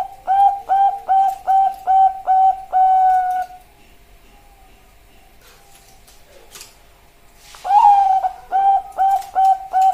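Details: Female Bangkok-type zebra dove calling a male, master and lure song: a run of mellow repeated coos ending in a longer note, several seconds of quiet with faint clicks, then the cooing run resumes.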